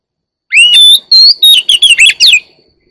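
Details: One-year-old Oriental magpie-robin singing a short phrase: a rising whistled opening, then a run of bright, quick, slurred notes that swoop up and down, ending about two seconds after it begins in silence.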